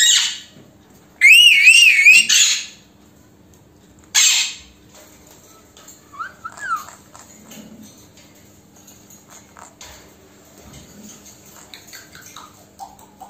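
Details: Talking female Alexandrine parakeet kept indoors, said to say "Mitthu beta" in Hindi: one loud burst of wavy, warbled whistling about a second long, a short harsh note, then quiet room noise with faint soft chirps.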